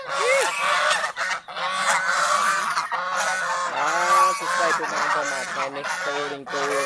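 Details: A group of kept geese out in fields beside a home, giving dense overlapping honks, some rising and falling, forming a steady noisy flock chorus.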